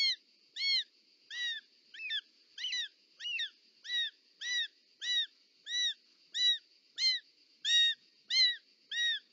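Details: Nest of short-toed snake eagles in Parc Natural dels Ports, Catalonia, 18 July 2024, mother bringing a snake; a long regular series of about fifteen curved, bright call notes, each under half a second, with a steady hum behind.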